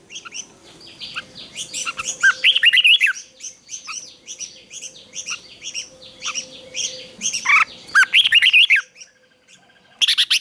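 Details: Red-whiskered bulbul in morning song training, fighting song: repeated bright warbling phrases of looping whistled notes, with many sharp chips between them and brief quiet near the end.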